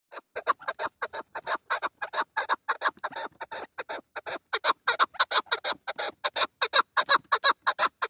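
A chukar partridge gives a fast, harsh chuk-chuk chatter, about three notes a second, steady and insistent throughout.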